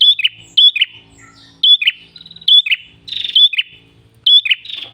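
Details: Red-headed tailorbird (prenjak kepala merah) in gacor ngalun song, used as a lure: sharp high whistled notes with buzzy tails in irregular bursts, some pauses, faint low murmur of other sounds beneath.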